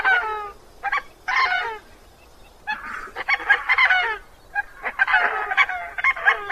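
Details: Gruff honking of a Coscoroba Swan, the call behind its name: rapid, rasping nasal notes packed into dense bursts, with one quieter pause before a long run of overlapping honks.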